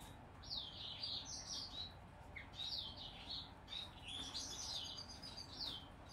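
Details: A 19-day-old hand-fed zebra finch × owl finch hybrid chick gives rapid, thin, high-pitched begging chirps in quick bursts, with soft background hiss.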